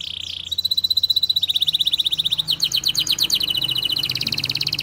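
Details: Canary singing a dense, fast training song for young birds: a buzzy opening, then crisp rapid trills and rolling note series in quick succession.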